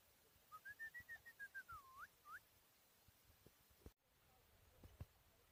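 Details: Four-year-old hand-reared Chukar partridge in Tajikistan, 2021: a fast run of pulsed notes arcs up and down, ending with two upward-hooked notes, followed by quiet and a few clicks.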